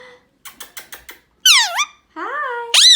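Indian ringneck parakeet giving loud, harsh screeches that swoop down and rise again, after a quick run of five short, scratchy chips.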